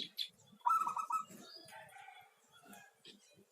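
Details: Single song phrase from a local zebra dove: a rapid string of clipped, rolling coos lasting about half a second, preceded and followed by faint softer sounds.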